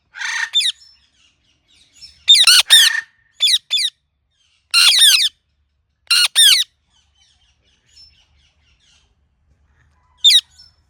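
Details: Ringneck parrot natural chirping: scattered bursts of loud grating screeches, some doubled or tripled, separated by quiet gaps across about eleven seconds, ending with a lone squawk.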